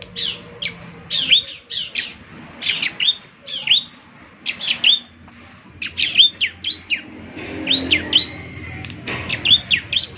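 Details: Semi-mature bar-winged prinia singing vigorously, a recording for morning playback so birds join in. Bright, high chirps that swoop downward, delivered in short uneven clusters over soft background hum.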